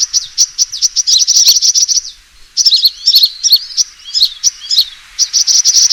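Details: Used as a lure, the sunbird's fighting call opens with a quick, even string of sharp high chips, then breaks into jumbled twitters and down-slurred notes before a steady chip run.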